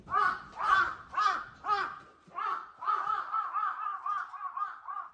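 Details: Crows cawing loudly early in spring mornings: four rough, strident caws, a short gap, then a quickening run of shorter, clipped caws that fade slightly toward the end.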